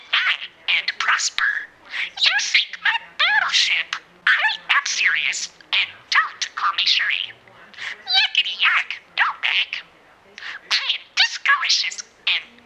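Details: A parakeet named Disco, a noted mimic, chatters almost nonstop in a small room: fast warbled squeaks, clicks and bent whistles in a high register, with mimicked speech-like phrases mixed in.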